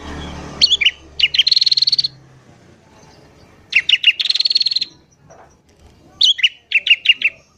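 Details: Sooty-headed bulbul singing busily in the morning, used to lure wild birds: short whistled, falling notes alternating with two long buzzy rattling trills and a closing run of quick, bouncing whistled phrases.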